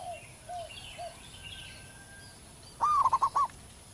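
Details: Zebra dove of the local type singing actively in the wild: three soft, low hoots at half-second intervals, then a pause, then one loud phrase of a rising note and a fast series of bright coos.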